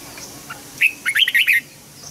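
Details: Red-whiskered bulbul used as a song tutor for young birds: a single lively phrase of four or five clear, slurred whistled notes rising and falling, over a quiet background.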